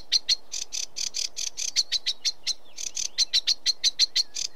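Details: Sedge warbler singing a fast run of dry, harsh chattering notes repeated several times a second, with thin high whistled accents slipped in among them and a short pause near the middle.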